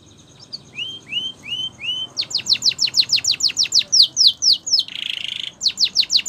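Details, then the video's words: Canary training song, Spanish Timbrado style: slow upslurred whistles, then a long run of rapid descending notes, a short buzzy trill, and more falling notes. "Canary's Training Song"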